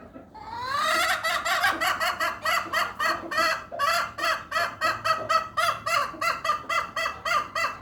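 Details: Hen making a strange, unusual sound: a long, fast series of short harmonic notes, about three to four per second, rising in strength at the start and then pulsing steadily, like rapid bleating.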